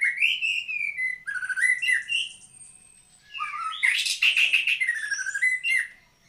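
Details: Murai batu, the white-rumped shama, singing a long varied phrase: sweeping whistles falling and rising, a quieter stretch, then a loud harsh trill-like burst followed by falling whistled notes.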